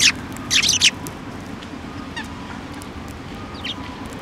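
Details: Sparrows fed by hand at a Tenmangu shrine, 15 December 2023: a quick burst of loud, rasping high chirps at the start, then faint scattered tweets.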